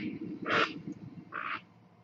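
Two harsh, raspy squawks from a great blue heron, nearly a second apart, over a low background rumble.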